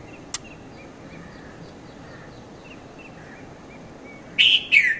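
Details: Konda Kurulla, the red-vented bulbul, at Mount Lavinia, Sri Lanka, 5:30 to 5:40 in the morning: a click, faint ticking and soft background bird notes, then a sudden loud double chirp ending in a falling slur.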